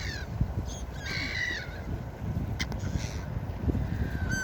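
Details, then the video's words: Seaside gulls: an early short call, then a long, harsh, wavering squeal, and a final brief downward cry, all over heavy breaking-wave noise. "4k Seagull Beach Sound Effect| Seagull sounds for Sleeping and Deep relaxation| Seagulls Sounds"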